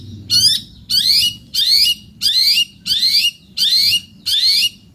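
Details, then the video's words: Long-tailed shrike giving seven harsh, scratchy notes, each a loud downward-sweeping burst with a lower slurred tail, evenly repeated about every 0.7 seconds. "cendet gacor"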